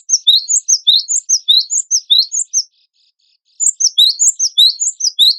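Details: Cinereous tit, called gelatik batu wingko, singing energetically in a contest-bird tutor compilation: two long bursts of crisp high alternating chirps, about four per second, separated by a half-second pause.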